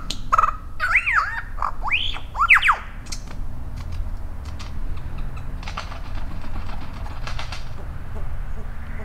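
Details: A lyrebird named Shorty at Dorrigo National Park, showing off to another bird on a log, gives a quick run of loud, arching whistles over about three seconds, each rising and falling, then only a steady rushing background remains.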